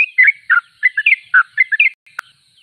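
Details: Sooty-headed bulbul (trucuk), described as singing vigorously: a fast run of short, slurred chirpy notes in quick bursts, then a pause broken by one sharp click and a faint trailing note.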